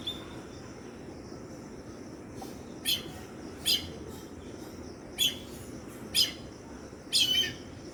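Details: Indian grey hornbill chicks giving short, scratchy, high screech notes, six in total at uneven intervals of roughly one second, over a quiet background hiss.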